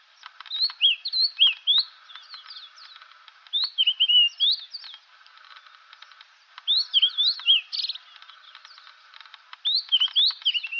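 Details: White-browed scrub robin, one of several individuals each with its own variation, repeating the same phrase over and over: bursts of sweet, slurred whistled notes falling and rising, in groups roughly every three seconds, with faint clicking in the background.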